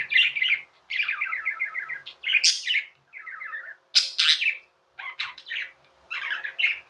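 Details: Pet budgerigars giving continuous chirping chatter: rapid strings of buzzy, warbling notes and sharp high squeaks, broken by short pauses, with a faint constant hum underneath.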